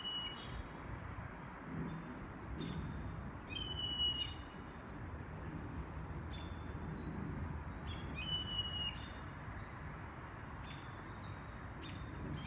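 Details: Blue jay in Toronto: two loud, harsh, harmonically rich calls about four seconds apart, each lasting under a second, with fainter short high chirps scattered between them over steady low background rumble.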